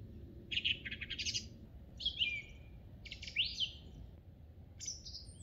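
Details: Song thrush singing in spring on Monte Baldo, Trentino: loud, varied phrases, some repeated notes, others sliding whistles, about one a second; steady low rumble beneath.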